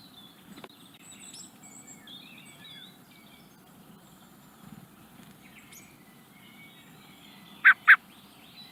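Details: Young common blackbird in the Netherlands calling near the end with two abrupt, loud notes in quick succession, after a stretch of soft, distant chirps and whistles from other birds.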